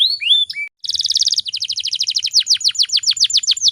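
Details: Atlantic canary female in breeding condition used to provoke males into singing: a few rising whistles, a short gap, then a dense buzzy trill flowing into a long fast series of sharp downslurred notes.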